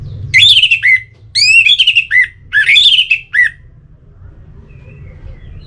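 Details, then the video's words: Orange-headed thrush song used to get birds singing: three bursts of rich, warbling whistled phrases with sliding notes, separated by short pauses, then quiet with faint background hum. "Suara Ini Bisa Membangkitkan Burung ANIS MERAH agar Jadi Gacor"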